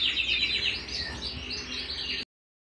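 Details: Canary singing at home, a quick stream of high twittering trills and chirps for about two seconds, bright and busy, before an abrupt cut to silence.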